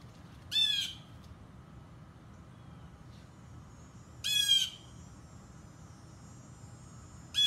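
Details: Blue jay recorded from a distance with a modest device, since approaching would have scared it off: loud harsh squawking calls, each about half a second long, given three times several seconds apart over a steady background hiss.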